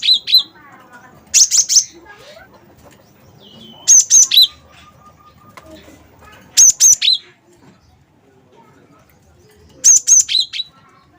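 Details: Lively gelatik batu, or cinereous tit, of the wingko type, used as a lure for other birds' song: four short bursts of high, clear whistled notes spaced a few seconds apart, with softer twittering between bursts.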